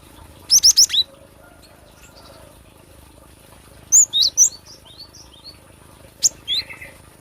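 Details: Cinereous tit song for luring or song training: short bursts of three or four very high, sharp chirped notes separated by pauses of a few seconds, with quiet background hiss.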